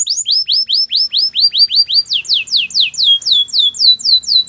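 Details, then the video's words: Singing canary delivers fast series of bright descending whistled syllables, one tour of evenly repeated notes switching partway through to a higher, sharper-slurred phrase, clean with no other sounds. "Canary bird sounds at it best"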